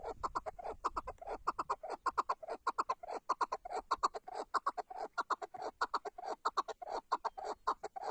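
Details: Chukar partridge of the Tatar type giving a long, steady run of loud, hoarse chuk notes, evenly pulsed at roughly one and a half per second throughout.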